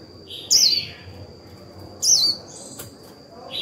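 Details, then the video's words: Caged decoy white-eye singing its chattering 'líu' song to stimulate other birds: two brief, high, twisting warbled phrases about a second and a half apart. A steady thin high whine runs throughout, and faint softer chirps sit between the phrases. "Khuyên mồi líu vừa phải kích bổi líu ngay!"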